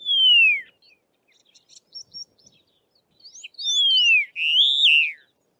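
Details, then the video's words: Karoo Long-billed Lark calling on open plains of the southern Karoo, South Africa: a loud, clear descending whistle, repeated about four seconds later, then a wavering upslurred note, with soft chips between. "Karoo Long-billed Lark calling"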